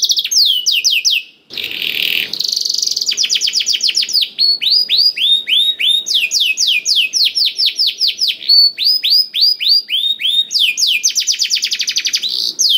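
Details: Loud canary song used as a lure for canaries slow to sing; repeated falling whistled sweeps and fast trills, broken early by a short harsh buzzy burst, then long rolling series of notes.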